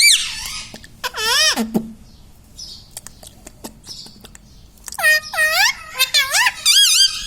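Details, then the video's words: Indian ringneck parrot, a household pet that says mummy, papa and radhe radhe, speaks one swooping phrase, goes quiet with faint clicks, then ends with a rapid series of harmonic, dipping syllables. "indian ringneck parrot talking video"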